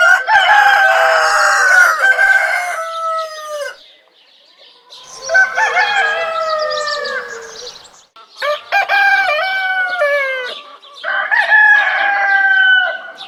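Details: Roosters crow four times in about thirteen seconds. Each crow is loud and harmonic, with a stuttering start and a long, falling, drawn-out ending. The crows come back to back with brief gaps.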